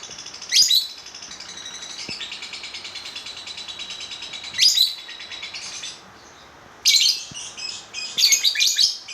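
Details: Lovebird giving a long, high, rattling chatter with sharp squeaky chirps at the start, middle and end, then a quick burst of harsh notes.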